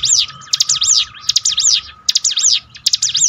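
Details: Song of the bar-winged prinia, meant to train caged birds. Clusters of shrill arched notes come in four spaced bursts against a thin constant hum.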